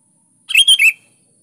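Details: Sooty-headed bulbul (kutilang) song, used to lure and provoke lazy caged kutilang into singing: a single bubbly phrase of three rapid fluty notes with a rolling, chattering quality, clean and isolated against silence.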